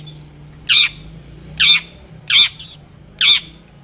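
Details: Long-tailed shrike, a lively singing bird, used as a lure to make other shrikes answer; four loud harsh rasping squawks, each about a tenth of a second, spaced roughly every 0.8 seconds, over a low steady hum.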